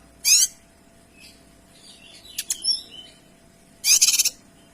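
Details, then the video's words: A Kinoy singing briskly: a loud harsh trilled burst opens, soft high whistles and a few sharp clicks follow, then a second pulsing rattle burst closes the phrase. "Suara Kinoy Gacor Tembakan Rapat dan Jernih"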